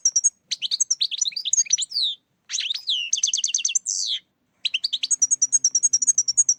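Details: European goldfinch song used as a lure for trapping: fast, high tinkling twitters and buzzy slurred notes in bursts, a rapid rattling trill near the middle, then an even, quickly repeated chip series at the end.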